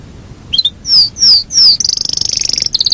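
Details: Yorkshire canary singing its long rolling song: a few sharp downslurred whistles followed by a rapid high rolling trill.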